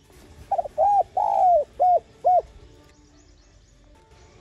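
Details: Single phrase from a spotted dove lure call for decoy training: a short pickup note, then four hollow coos, the second long and gently descending, followed by near silence.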